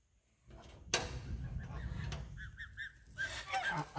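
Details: Geese honking in short bursts late in the recording, the calls partly buried under a steady low rumble and a sharp knock near the start.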